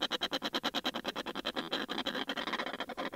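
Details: Snow petrel pair calling at close range from inside their nest, recorded in June: a harsh, rapid chattering of buzzy pulses, about a dozen each second, running on without pause in a rough, grating stream.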